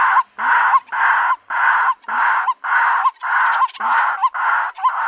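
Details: White-breasted waterhen lure call: long harsh, grating bursts with a steady high band on top, each ending in a short rising kwak note, repeated almost twice a second without pause.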